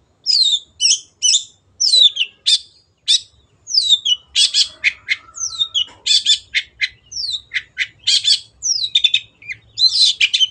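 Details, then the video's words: Long-tailed shrike, a singing cage bird on a training recording meant to make kept shrikes sing more: rapid, varied chattering song of squeaky slurred whistles and scratchy bursts, nearly continuous after a short pause. "MASTERAN BURUNG CENDET GACOR"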